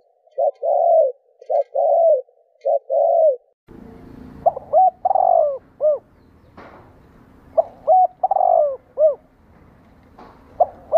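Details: Spotted dove cooing, played to make captive doves respond: three similar short coo phrases, then a background hiss and a run of loud phrases, each a short note, a long slurred coo and a falling final note.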